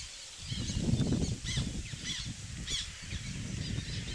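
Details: Black tern at a nesting site on 14 May 2016, Łąka reservoir, Pszczyna, Poland, where terns build nests and defend platforms from others: short, harsh, arching calls a few times in four seconds against a heavy low rumble of wind or water.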